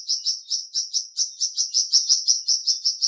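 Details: Flamboyan bird uttering a continuous chain of high, slightly slurred chirps, roughly five each second, rising and falling evenly in loudness.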